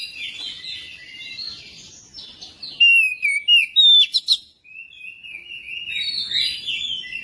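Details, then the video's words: Oriental magpie-robin song to prompt magpie-robins to sing: soft rambling warble, then loud, crisp falling whistles and sharp chips, easing back into a quieter continuous warble. "pancingan kacer biar cepat gacor dan ngobra"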